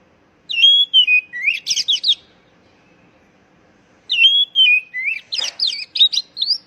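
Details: Oriental magpie-robin calling, used to coax stressed young birds back into song: loud descending whistles break into rapid, scratchy high notes, twice, with a brief gap of silence between phrases.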